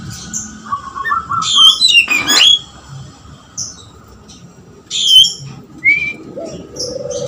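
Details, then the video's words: Oriental magpie-robin in full, insistent song, including lovebird-mimicry material. Scattered high whistled and slurred notes with short harsh squawks, a loud broadband burst near the middle, and low background hum. "kacer full gacor suara ngotot materi lovbit"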